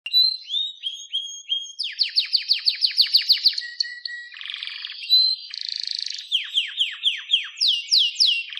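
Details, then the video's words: Canary singing a varied, fast song: rapid descending sweeps repeated in quick series, steady whistled notes, and buzzy trilled phrases alternating across the strophe, bright and high-pitched throughout with no other sounds. "Wonderfull Canary Singing"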